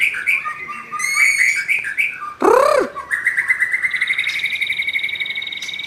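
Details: Young wild forest white-rumped shama singing loudly, with quick varied whistles and chirps, a harsh broad squawk midway, then a long steady rapid trill holding a constant pitch.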